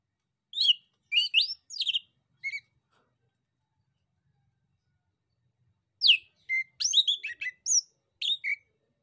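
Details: Male orange-headed thrush in full song, used as a lure to provoke other birds to answer: two bursts of rapid, varied whistled and chirping phrases, high and clean, separated by a few seconds of silence.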